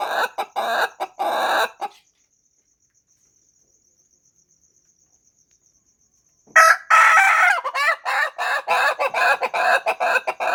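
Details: Ayam Ketawa, the laughing chicken, crows in a burst of short staccato syllables, falls silent for several seconds, then resumes with a longer rapid chattering, laugh-like series of clipped notes.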